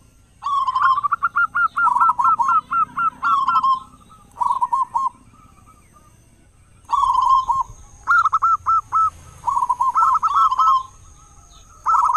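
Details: Zebra dove of local stock with a big voice, kept to prompt other doves to call at dawn and dusk; rapid rolling coo phrases of clipped, bubbling notes come in bursts separated by silent pauses of about two seconds.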